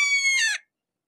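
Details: One strident, slightly descending scream from a red-shouldered hawk nearby, lasting about half a second and breaking into a rougher ending.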